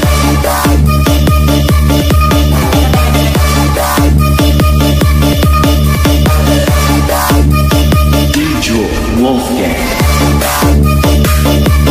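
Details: Loud electronic dance music with heavy bass and a steady thumping beat throughout, with no animal voice audible.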